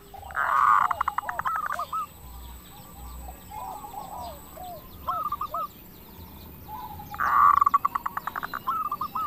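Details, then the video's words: Zebra dove of a local type singing as a lure to trigger answering doves; two loud rolling coos break into rapid pulsed notes, with quieter hooked coos in between over a steady hiss. "PERKUTUT LOKAL GACOR SUARA KRISTAL - Pancingan perkutut bikin cepat nyaut"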